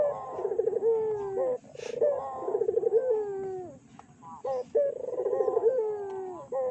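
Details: Collared dove (burung puter) cooing as a lure to provoke other doves. Three rolling, pulsed coo phrases, each sliding down into a smooth tone, with short clipped notes and a brief hiss between them.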